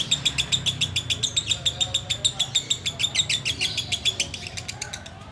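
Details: Sooty-headed bulbul chattering in ngekek style, rapid regular pulses with a steady high whistled thread, fading slightly toward the end, low background hum.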